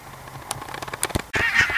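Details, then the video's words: Pink-footed geese (Anser brachyrhynchus) and Brant geese (Branta bernicla) near the Borreby bogs, on very low, watery land: a few clipped honks, then a louder run of nasal, overlapping honks from the flock. "Pink Footed Goose(Anser Brachyrhynchus) & Brant Geese (Brants Bernicia)"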